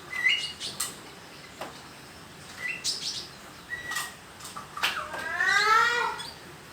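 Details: Young speckled sunbird (konin) learning to sing: scattered short high chirps and thin slurred notes, ending in a louder run of rapid stacked, descending twittering notes, with a quiet background hiss.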